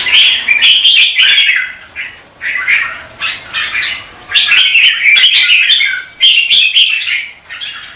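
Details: Competitive morning singing of red-whiskered bulbul, used to stimulate birds to sing: rapid, busy run of whistled and chattering notes, loud stretches broken by short dips, a few harsher squawky notes.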